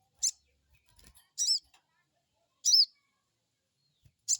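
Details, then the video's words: Crested jay crecet calls meant to stimulate an untrained bird: loud, harsh high chips with arched overtones at irregular one-second gaps, with faint clicks between. "Crecet crecet,,pancingan burung sogon bahan"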